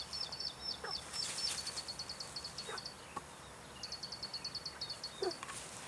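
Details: Plain prinia at Dianbao River, Taiwan, 2 June 2019, giving rapid series of thin, high, buzzy notes, about six a second, in two bursts; a few lower chirps from other birds behind.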